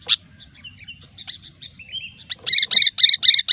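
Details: Lure song of a sooty-headed bulbul, gecor style: soft thin whistled notes at first, building into loud rapid chirps repeated about four times a second, with a faint low rumble behind.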